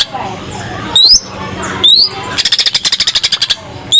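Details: Greater green leafbird in energetic full 'isenan' song used to lure other birds into singing: steep whistled upsweeps around a sharp rapid rattle of even pulses, with low background noise.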